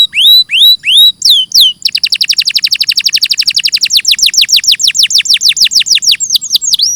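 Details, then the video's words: Clean canary singing, opening with four looping rising whistles, then a long rapid trill of falling chip notes about five per second, ending in a few curling upswept notes. "Masteran suara burung KENARI II audio jernih"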